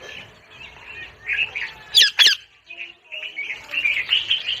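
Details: Parrot calling: continuous raspy chattering notes, then two loud, harsh broadband squawks in quick succession near the middle, followed by more busy scratchy chatter.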